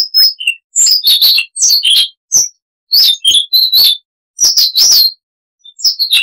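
Siberian rubythroat singing quick, varied phrases of high chirps, thin whistles and scratchy twitters, each burst under a second with short pauses between.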